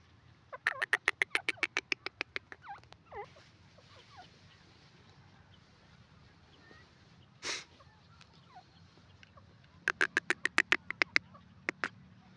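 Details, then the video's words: Grey francolin (teetar) calling: two bursts of rapid, sharp, evenly spaced notes, about eight per second, one near the start and one near the end. A single loud thud falls between them over a faint, rustling background. "beautiful bird teetar awaz,top voice teetar birds"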